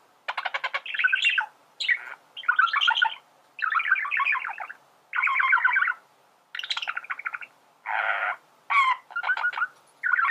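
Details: Male budgerigar singing, played to teach other birds to sing: bursts of buzzy, chattering warble with rapid clicks and squeaky notes, broken by short pauses roughly every second, in a quiet setting.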